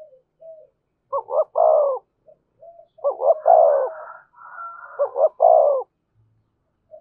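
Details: A spotted dove repeats its 'giọng thổ' coo about every two seconds, in 'thúc' and 'kèm' phrasing: a stuttered pair of notes, then a long deep coo. A faint higher droning tone overlaps the middle phrase.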